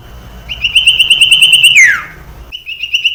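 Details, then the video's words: Common iora song played as a lure to train young birds to sing: a fast, even trill of clear whistled notes ending in a long descending slur, then the trill resumes. "Suara Burung Sirtu Cipoh PANCINGAN sirtu cipoh TERAMPUH keAhlinnya menjadikan burung sirtu gacor."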